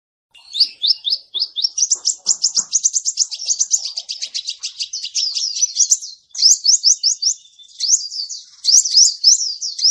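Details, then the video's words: Male ninja sunbird singing, a lure sound for trapping: a long, rapid series of high, sharp rising notes that speeds into a dense trill, then breaks into short groups of upslurred chips. "SUARA BURUNG KOLIBRI NINJA BUAT MIKAT"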